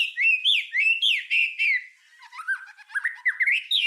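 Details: White-rumped shama song used as a master recording for tutoring other songbirds: loud rhythmic whistled phrases with sharp upward and downward slurs, then a quieter jumble of rapid varied notes rising at the end.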